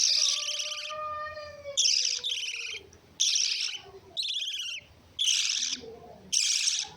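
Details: A drawn-out tonal whistle opens, then the lovebird breaks into grating, chattering shrieks in separate bursts with short pauses.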